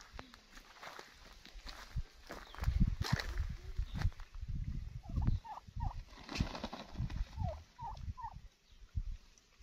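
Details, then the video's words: Wild turkey giving a loose series of short, downward-slurred yelping notes in the second half. Heavy low thumping and rumbling noise runs throughout, with scattered clicks. "Wild Turkey Bird Sound"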